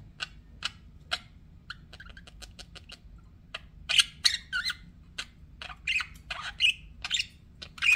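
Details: Pet budgerigars give scattered sharp clicks and ticks, then louder buzzy chirps and a few harsh squawked notes toward the end, in a quiet room.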